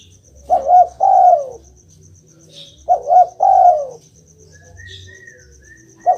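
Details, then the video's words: Repeated Spotted dove phrases, used to make a silent dove answer back: each a stuttered double note then a long falling coo, given about every three seconds, over steady high insect-like pulsing. "Denger suara ini, burung derkuku langsung nyaut"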